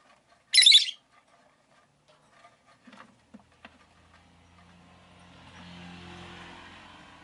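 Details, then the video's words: Caged rosy-faced lovebird in a flock of five kept by a window gives one loud, shrill, harsh chirp, then soft clicks and a faint, rising hum of passing traffic. "Lovebird Chirping Sounds"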